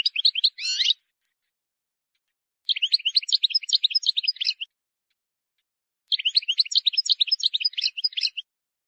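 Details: A wild European goldfinch delivers three separate bursts of high, fast twittering song. The first phrase is brief and ends in a rasping note, and the next two are longer tinkling runs. This error-free song is used for teaching chicks.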